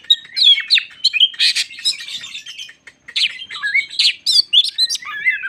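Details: White-crowned shama lure singing to agitate other shamas, mixing harsh buzzy bursts with clear whistled slurs, with a brief pause midway before resuming.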